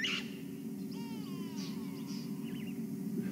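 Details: At sunrise on 18 June 2015 during a game drive, go-away birds upset by a goshawk perched atop a tree give nasal, meowing, downward-sliding calls, with noisy starlings and other bird chatter over a steady engine hum.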